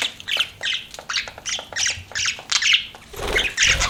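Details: Chirping pet budgies: sharp, squeaky chirps and scratchy calls come in quick bursts, with a low rumbling noise rising near the end.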